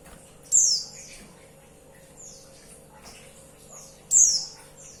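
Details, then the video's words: Female white-eye calling the male: high, thin downslurred notes, two loud ones about three and a half seconds apart, with softer echoing notes between. "Suara pleci betina Bikin Emosi"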